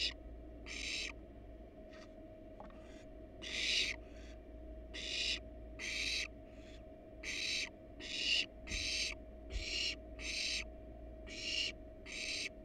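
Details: Wild barn owl parents resting on a monitored nest box with nestlings inside; a long series of about fifteen harsh, breathy hissing calls at irregular, fairly rapid intervals, some faint, over a continuous low hum.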